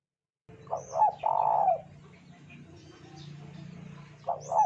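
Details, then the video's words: Spotted dove cooing, used as a lure to get other doves singing: short bursts of mellow mid-pitched coos, a long drawn coo at about one second, a quiet low hum between phrases, then a final pair of coos. "PANCINGAN TEKUKUR BAHAN GACOR"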